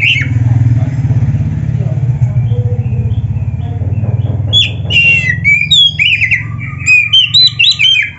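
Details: Kacer, the oriental magpie-robin, in nonstop gacor song full of isian fill-ins: a strong low droning hum fills the first half, then quick, varied, bright whistled notes and slurs pour out in tight succession.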